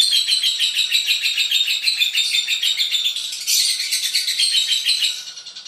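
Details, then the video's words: Long, continuous lovebird chatter, a rapid run of shrill squeaky twitters pitched high, swelling a little louder midway before fading slightly at the close, with no pauses or other sounds. "Love bird ngekek panjang"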